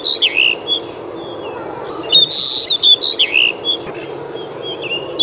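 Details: Loud, crystal-clear song of a Pied Bushchat (kacer mini or decu), recorded 21 June 2021. It gives quick bursts of high whistled, slurred notes, rising and falling, repeated in phrases about every second with short pauses.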